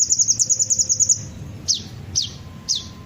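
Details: Sunbird song played as a lure: a rapid high trill of ticking notes, followed by three separate sharp descending notes spaced about half a second apart.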